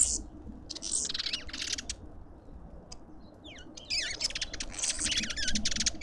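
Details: In a Pretoria suburban garden, South Africa, lovebirds at the feeder produce harsh, crackly screeches in bursts, a short quiet gap, then fast down-sweeping chirps and more raspy chatter.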